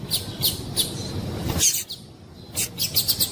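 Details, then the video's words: Female Double-collared Seedeater calling to stir a male to sing: high, clipped chip notes at a steady fast pace, a brief pause, then another quick series of bright chips over faint low noise. "Piado de Fêmea de Coleiro para Esquentar Coleiro"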